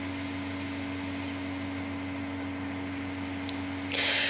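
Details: A steady electrical hum with a constant low drone fills an indoor space, and a short burst of hiss rises near the end.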